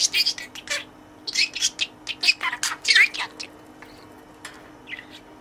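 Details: Caged budgerigar playing and speaking learned words to its toy friend: a rapid, dense burst of high-pitched, speech-like babble for about three seconds, then a few scattered soft chirps.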